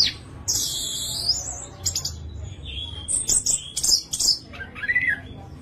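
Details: Orange-headed thrush song meant to trigger other thrushes: high whistled slurs and arching phrases, fast mimic-like trills, then a lower curving whistle near the end, with faint low background rumble.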